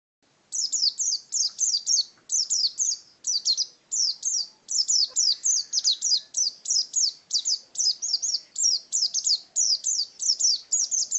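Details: After half a second of quiet, an Oriental white-eye launches into its ngalas wild-type song, a lively run of sharp, high chirps grouped in quick clusters with tiny gaps between them.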